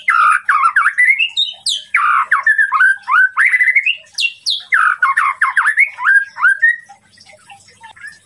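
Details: White-rumped shama song to goad a rival: strong, dense bursts of chopped, rasping slurred notes and steep high downstrokes, repeating about three times per second before falling silent near the end.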